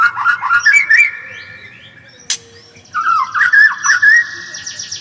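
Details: White-rumped shama singing rich whistled phrases, rising and falling notes strung together, a sharp click midway, then another bright series of repeated whistles and trills.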